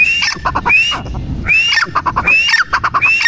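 A female grey francolin calls loudly, repeating a shrill rising whistle and a quick run of harsh, clipped notes about once a second, over low background rumble.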